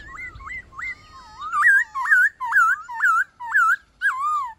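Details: White-cheeked laughingthrush singing in forest voice to encourage captive birds: repeated sharply rising then dropping whistled notes, roughly two per second, clear and evenly spaced against a quiet background.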